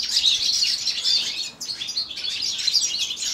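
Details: Young male European goldfinch, seven months old, singing: a continuous high twittering stream of fast tinkling notes and short buzzy trills, briefly pausing midway before resuming.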